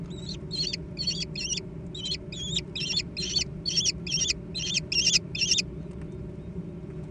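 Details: Young American kestrels squabbling over food: a fast series of high, wavering, trilled squeals, about two per second, over a low steady background hum.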